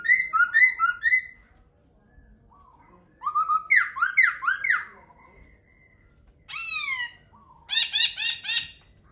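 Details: Laughingthrush singing varied phrases: a bouncy trio of rich whistles, a series of rising-then-falling slurred notes, a sharp descending call and a rapid rhythmic chatter, separated by short pauses.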